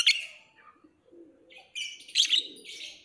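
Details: Lovebird giving one sharp chirp, a pause, then a loud cluster of shrill squeaky notes.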